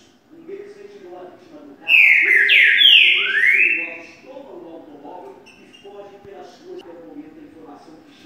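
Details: Green-winged saltator singing the boiadeiro song style; a loud burst of rich, slurred whistles rising and falling for about two seconds, amid low murmuring voices and faint other chirps.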